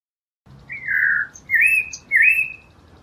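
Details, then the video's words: Blue mockingbird, endemic to Mexico, delivers three drawn-out whistled phrases, the first falling, the next two rising then levelling, over a steady low background hiss. "Mulato Azul Canto - Blue Mockingbird Bird Song"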